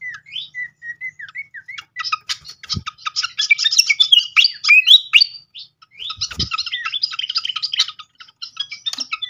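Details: Lure song of a srikatan flycatcher meant to provoke singing: soft rising whistles at first, then bursts of fast, jumbled twittering and chatter, a short gap, and another chattering burst; two faint low thumps.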